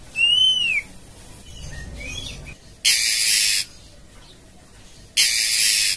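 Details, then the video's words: Female oriental magpie-robin calling to a male, starting with a clear, arching whistled note and a softer slurred one, then two long, scratchy rasping calls separated by a pause. "suara kacer betina memanggil jantan"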